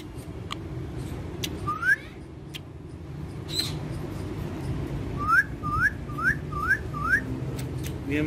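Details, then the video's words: Caged green parrots in Pakistan, sold at a bird market, giving a run of five short rising whistled notes about every half second late in the clip, after an earlier single whistle, over steady background hum. "Talking Gareen Parrots"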